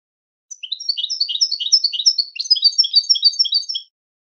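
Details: Goldfinch song recorded for teaching goldfinches to sing: one unbroken, rapid twittering run of about three seconds, high, tinkling, slurred notes that rise and fall, against complete silence.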